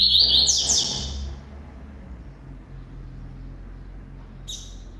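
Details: Double-collared seedeater singing: one loud burst of quick chattering, sweeping notes that fades after about a second, then quiet hum, and a short high note near the end.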